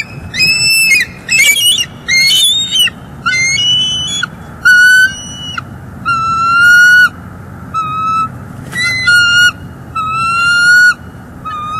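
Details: Female bald eagle at a nest in northeast Florida, recorded by a live nest cam on 3 December 2021, calls while her mate brings a fish and then sticks. A long series of high, sharp, chittering whistled notes, with steady low background hum.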